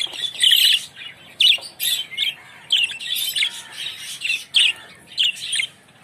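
Budgerigars chattering in quick bursts of high, scratchy chirps and warbles.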